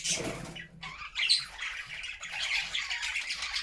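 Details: Captive budgerigar flock singing happily in a new homemade cage, a busy mix of warbled chirps, squeaky notes and chattering twitters from several birds at once, steady and unbroken.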